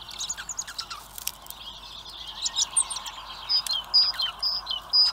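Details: Hungry common blackbird chicks begging, picked up by a live animal and bird feeder camera in Recke, Germany: a dense stream of thin, high chirps from several young, ending in short, clear whistled notes repeated about once a second.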